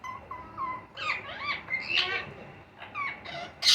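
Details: Baby Indian ringneck parakeets calling while being fed: a series of wailing, harmonic cries that bend up and down, rising into louder, more excited overlapping calls, ending in a sharp burst.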